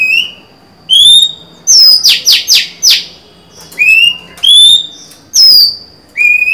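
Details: Singing female Oriental magpie-robin, 23 July 2020, calling to provoke a male: a loud series of rasping buzzy notes set between sweet whistled phrases, steady and repeated with brief silences.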